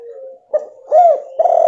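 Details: Female spotted dove calling to stir a male that has gone quiet; a low hum leads into a short, arched cooing note and a louder, rising-falling coo, then another coo begins.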